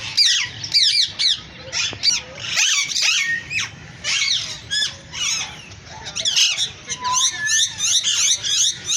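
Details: Green African parrots calling: loud, rapid bursts of harsh squeaky chirps and screeches, several notes overlapping, coming in clusters about every second with short pauses between.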